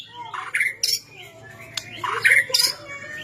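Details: Energetic white-rumped shama song meant to provoke reluctant shamas to sing. It mixes harsh squawks, slurred whistles and abrupt high notes in quick, uneven succession over a steady low background hum.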